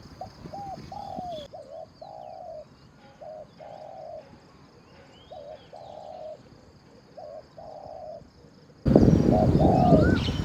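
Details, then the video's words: Spotted dove at a decoy session giving a steady series of coos, short hooked notes followed by longer level ones, repeated in phrases; a loud burst of noise covers the final seconds. "ออกต่อนกเขามหญ่ เจ้าหลิ่วคารมหนุนขัดเปลี่ยน อ ช้าง เสียงดีมาก"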